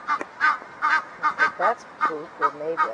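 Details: Pair of Egyptian geese in a backyard, possibly calling to each other after being reunited: rapid series of harsh, honking notes, about three per second, mixing raspy hoarse bursts with lower, nasal, harmonic honks that lengthen toward the end.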